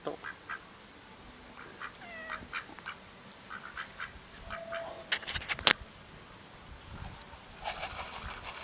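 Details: A duck giving scattered quacks among other faint bird calls and noises, with a few drawn-out tonal notes and a burst of broadband sound midway and near the end.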